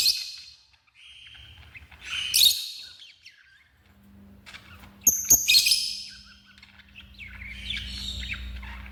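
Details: Shrill squeaks and scratchy chattering from pet African lovebirds, with a loud cluster of piercing shrieks midway and a steady low hum in the background.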